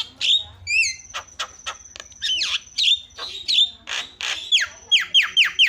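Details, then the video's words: Lure recording of starling song meant to set other starlings chattering: sweeping downslurred whistles, clicks and sharp chips, ending in a quick series of high, falling whistled notes. "SEKALI PENCET JALAK LANGSUNG PADA CEREWET"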